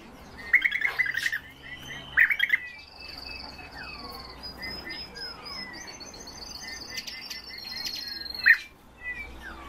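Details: European bee-eaters giving short rolling trilled calls in scattered bursts, with thinner whistled notes from other birds and faint insect buzzing in the background.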